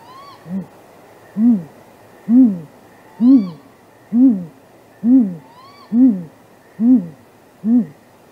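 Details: Courting great grey owls calling at midnight on 23 April 2019, possible mating, out of view of a nest camera: a steady run of nine low, muffled hoots roughly once a second, with three fainter rising-then-falling whistles overlapping.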